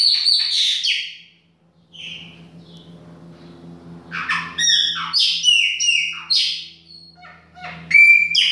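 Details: Baianinho chopi blackbird singing in a kitchen: loud whistled notes, then a quiet gap with a low hum, then dense bursts of clear and buzzy phrases ending with a sharp high whistle.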